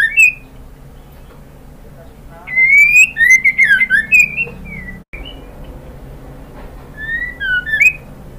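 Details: White-rumped shama, a female calling for the male. A short whistle is followed by a lively run of rising and twisting whistled notes, then a quieter spell and a few final slurred whistles.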